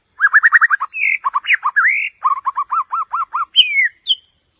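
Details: White-rumped shama song: quick runs of short whistled notes repeated in even series, broken by louder rising and falling slurred whistles, then a final high descending whistle.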